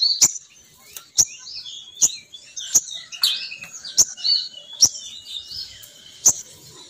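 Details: Lure call of a female sogon bird meant to bring males flocking down: busy high twittering and chirped notes, broken by crisp clicks about once a second.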